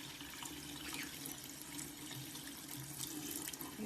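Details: Running tap water splashes steadily throughout, with no animal voice standing out.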